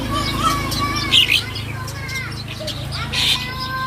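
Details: Young long-tailed shrike in full 'isian' song: thin whistled notes, some sliding upward, mixed with brief scratchy chirps and a buzzy burst near the middle, over a steady low hum.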